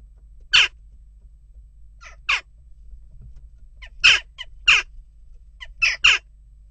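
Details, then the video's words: Jackdaws at a nest box, still restless, give single and paired sharp harsh calls spaced a second or two apart, with short soft notes between and a low hum. "Onrust blijft door--kauwen"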